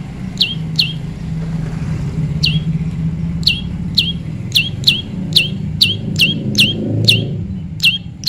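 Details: Prinia during natural pairing: a pair of high falling chirps, a pause, then a quickening series of about a dozen more, over a constant low traffic hum.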